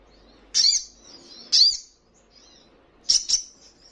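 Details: Crimson sunbird (sogon) for training caged birds to reply: two loud piercing high chips a second apart, then a quick doubled high note after a pause.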